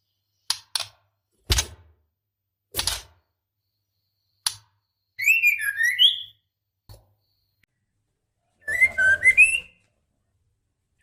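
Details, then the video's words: A white-rumped shama female, in breeding condition, calls the male: several loud dry clicks open, followed by a bubbling run of twisting whistled notes, a lone click, then a second brief whistled phrase. "Suara Murai Betina Gacor Memanggil Jantan"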